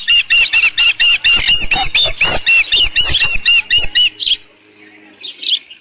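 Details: At the nest on 13 June 2018, late morning, an osprey gives a steady series of about eighteen loud, piercing, arched whistles, then falls quiet apart from a faint chirp.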